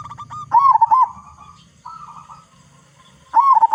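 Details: Local zebra dove with a large voice, for luring other doves to sing. An undulating coo burst, a longer flat trilled coo, then another coo burst, over a low hum.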